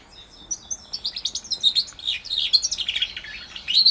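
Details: A roughly four-month-old house finch x orange/brown Timbrado canary hybrid (mule) sings a fast, continuous warble of high chirps and twittering notes, with bright trills rising and falling throughout.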